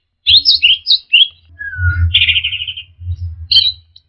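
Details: ['Varied whistles of an orange-headed thrush used to coax caged birds into singing: quick high notes, a long low descending whistle, then a buzzy rapid trill, with a constant low hum underneath.']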